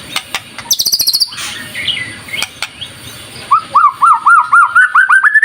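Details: White-rumped shama lure song: a short high rapid trill and clicks, then a run of repeated rising whistled notes, about four per second, climbing slightly in pitch over a noisy background.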